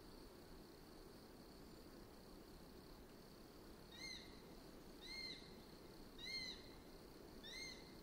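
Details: Eurasian sparrowhawk giving four short, arched, slightly nasal call notes about a second apart after a quiet start, over a steady high insect-like hum and background rumble.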